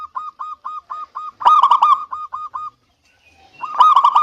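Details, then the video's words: Local zebra dove song, used as a lure to prompt silent doves to sing: a steady run of short cooing notes, about four a second, broken by two louder rolling bursts of coos and a brief pause. "Terapi Perkutut MaLas Bunyi_Rutinkan Pancingan Ini Pagi Siang Sore"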